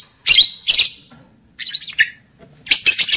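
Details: Lovebird calls to raise breeding arousal in males and females: two loud harsh squawks with a whistled tone, a scratchy chatter, then a quick run of sharp chirps and squawks.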